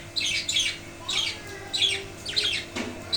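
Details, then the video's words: Budgerigars in a wooden cage, heard after the male father budgie died while a chick waits in the nesting box: loud raspy chirps in short bursts about every half second, with a faint thump near the end. "Budgies feeling normal after male budgie death"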